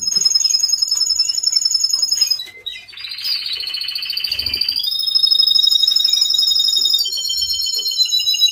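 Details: Male canary giving its mating call. The song is loud and continuous, made of fast, very high, ringing trills that hold steady pitches. The trills shift between levels, with a brief pause and a short buzzy phrase partway through.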